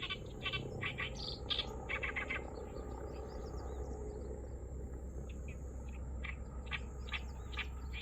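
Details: Oriental reed warbler singing unseen at Kurohama marsh, Hasuda, an unusual song: a burst of loud, harsh chattering notes, then fainter scattered rasping notes after a quieter stretch, over constant low hum.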